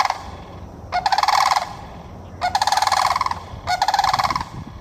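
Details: In Florida, sandhill cranes give loud, rolling, rattling bugles in three bursts, each about half a second to a second long, over a low background hum.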